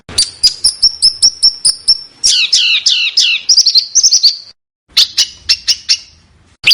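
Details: Small bird song edited as a master recording for training contest cage birds, with sharp 'tembakan' bursts: rapid repeated high ticks, then a series of descending slurred notes and buzzy trills, ending in short sharp chips after a brief pause.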